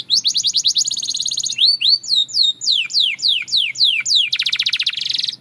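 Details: Belgian canary song opening with a quick high trill, then a series of sweeping, falling whistled notes, ending in a rapid buzzy roll.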